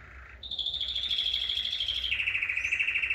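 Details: Canaries in full song, pairs about to be separated: a short low note, then a long fast rolling trill held high and steady, dropping to a slightly lower pitched trill for the last second.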